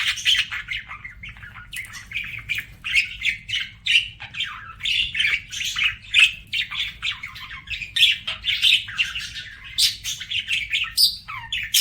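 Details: Several pet budgies sing together in a dense, nonstop chatter of squeaks, chirps and scratchy warbles, busy and high, with a few rising whistled notes.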